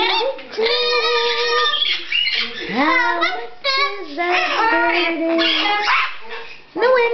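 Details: Pet blue-fronted amazon singing indoors: strongly harmonic, voice-like phrases, sustained then sliding up and down, broken by short gaps, with a person speaking nearby.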